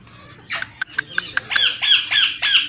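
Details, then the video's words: Young pet Indian ringneck parakeet, called a talking parrot, makes a run of short clicking notes followed by five loud, harsh, downward-sweeping squawks in quick succession. "Talking parrot video"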